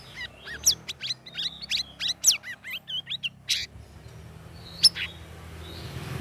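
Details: Caged sooty-headed bulbul in its third week of group training among other hanging birds, singing in the chattering ngeriwik style: a quick run of sharp upsweeping chirps and short whistles, then a pause and one high note.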